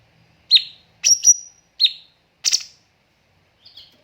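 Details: Cucak cungkok song for training other birds, with tembakan bursts spaced by pauses: sharp high chirps at irregular intervals, one with a thin whistled tail, a brief noisy burst, then a faint final chirp.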